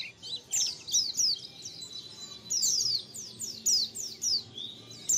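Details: Colony of white-eyes calling, as a lure: bursts of high, thin, down-slurred chirps from several birds overlapping, repeated in groups about every second.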